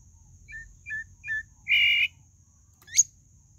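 A Pale-breasted thrush sings three short, quick two-note whistles, a harsh buzzy note and a sharp rising whistle, over a faint steady high-pitched hum.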